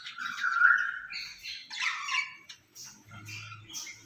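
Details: Two caged rose-ringed parakeets talking to each other, said to speak Urdu and Hindi; a sustained whistled note, then rasping, speech-like syllables with shifting tones and quieter chatter.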